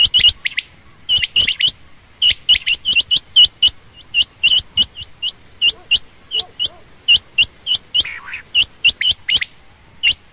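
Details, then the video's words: Rapid, busy series of short high chirps attributed to a female common or rain quail, notes tumbling about four per second and unevenly spaced, with a brief softer, lower murmur near the end. "common quail/Rain quail sound)chinga batair ki Awaz)Звук самки перепела)صدای بلدرچین)صوت السمان"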